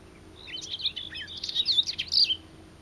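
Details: Garden warbler song fragment, livelier and louder than usual for the species: a short, dense burst of high, jumbled warbling notes lasting under two seconds against a faint background hum.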